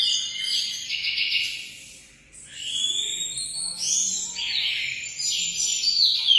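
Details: Munia song of rapid, high, rattling chirps in bursts separated by short lulls, with buzzy upward-swept notes toward the end.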